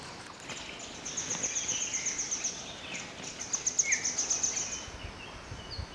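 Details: Wild vernal hanging parrots feeding in Nameri, Himalayan India: a rapid run of very high, thin ticking notes repeated about four per second, pausing briefly and resuming, with one lower short chirp near the end over steady background hiss.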